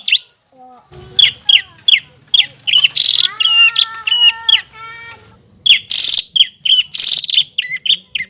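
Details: Energetic song of a greater green leafbird, used as a lure for young birds: repeated sharp downslurred chips, harsh buzzy rasps and a run of even, steady whistled notes, delivered in quick succession.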